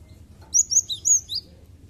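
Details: Cinereous tit singing, used to stir other birds into song: four or five piercing high chirps in a quick run, bright and slightly downslurred, against a quiet low hum.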